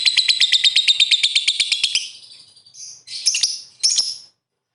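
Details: Lovebird calling in 'ngetik ngekek' style to get opponent birds singing; a rapid pulsed, high trill for about two seconds, then fading, followed by a few separate harsh squeaky bursts.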